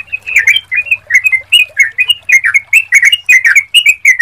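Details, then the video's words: Lure recording of a sooty-headed bulbul: rapid chattering, bubbly notes in quick succession, each a short slurred whistle, over a faint low hum. "Pancingan Suara Trucukan"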